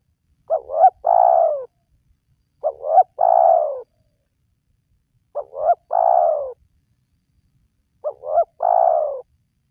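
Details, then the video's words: Spotted dove calling, used to entice quiet wild doves to call: four three-part phrases about every two and a half seconds, each two short rising notes then a longer descending coo. No other sounds. "Jitu 100% Pemancing Burung Tekukur Yang Malas Bunyi,Langsung Rajin Bunyi"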